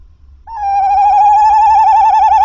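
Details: Tawny owl at the nest at 21:50, calling as the male arrives to deliver a mouse. A sustained, tremulous note with a rapid regular waver, rich overtones, steady and loud for about two seconds.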